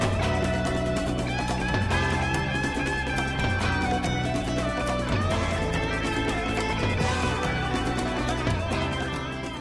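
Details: Strummed guitar music with a steady beat and bass plays throughout, with no animal sounds audible.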